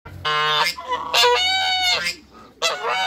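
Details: African and Toulouse geese on a farm, met by a visitor, give three loud, nasal, harmonic honks: a short blast, a long drawn-out honk of nearly a second, then a final honk after a brief pause.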